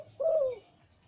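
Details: Deep-voiced breeding male zebra dove giving one sustained, slightly falling coo in the Liw Tan style, rich and mellow, followed by quiet background.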